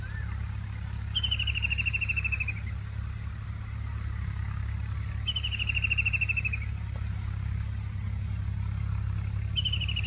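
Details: White-throated kingfisher repeating its loud, rapid, descending rattling trill three times, roughly every four seconds. Each burst lasts about one and a half seconds, set against a continuous low-pitched rumble.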